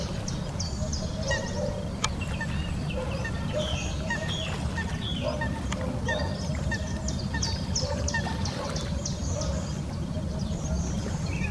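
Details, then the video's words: Wild ducks on a lake in a national park in early spring keep up a steady chatter of short nasal honking calls, many overlapping, over a low rumble of wind or water. "Wild ducks on the lake"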